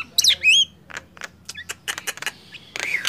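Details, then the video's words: Nias hill myna against black-winged myna in a loud singing contest. Two sharp whistled squawks open, then fainter clicks and chips, and a bent whistle returns at the close. "Adu keras gemboran jalak nias vs jalak kebo"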